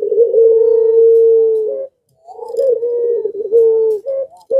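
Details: Zebra dove in breeding condition, its song set off by breeding drive and prompting nearby doves to join in: long steady trilled coo held near one pitch, then a short break and more rolling coos.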